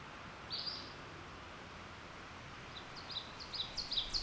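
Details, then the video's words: An Ovenbird sings a rapid series of high, sharp two-note 'teacher, teacher' phrases, growing louder toward the end, over a soft background hiss. "Ovenbird: Teacher, Teacher!"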